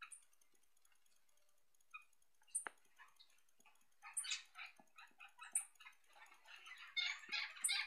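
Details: Maritaca parrots in a home garden on 3 May 2016 give harsh, raspy squawks and screeches, several birds overlapping in a chatter that grows louder and busier toward the end.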